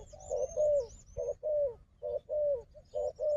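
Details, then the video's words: Wild fighting dove confronting a decoy gives burry coos separated by brief gaps, some notes drawn out and falling, with a thin whistle overhead. "លលកព្រៃនេះខ្លាំងខាងជល់ ធ្នាក់ក៏ខ្លាំង"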